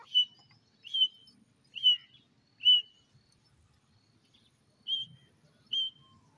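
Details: Grey francolin, called titer or partridge, in Sindh: six short, sharp, high notes, each slightly buzzy with a brief trailing tail, spaced roughly one per second with a short pause before the last two, over a quiet background.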